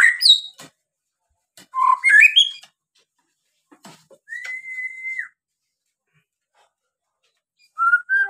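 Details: White-rumped shama singing to provoke other birds: sharp high notes and a twisting whistled phrase, then a long level whistle and a final short whistle after silence.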